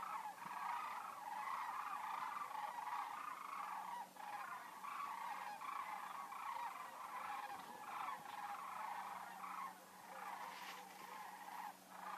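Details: A huge flock of sandhill cranes on seasonal migration in Denali National Park and Preserve, Interior Alaska, fills the air with a dense, continuous chorus of rolling, rattling bugles, the calls overlapping without pause.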